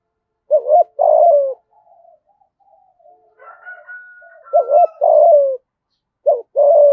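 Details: Decoy spotted dove calling to attract wild doves: two-part rising note then a long descending hoot, repeated, with faint softer coos and a thin whistled tone in the quiet pause between phrases.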